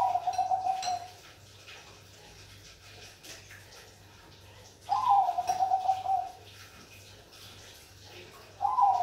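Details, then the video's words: Zebra dove of the Bangkok perkutut type: rolling, trilled cooing phrases about a second long, starting with a brief rising note, then a fast bubbling coo that settles lower. Phrases are separated by pauses of about four seconds, with a steady low hum behind. "Suara Burung perkutut Bangkok"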